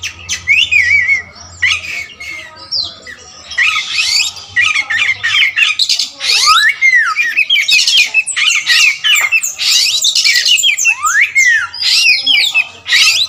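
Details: Kacer wulung, an all-black Oriental magpie-robin known for its wide repertoire, pours out a long, loud, dense song. Harsh buzzy bursts, swooping whistles and quick chattering notes tumble together, with a faint low hum.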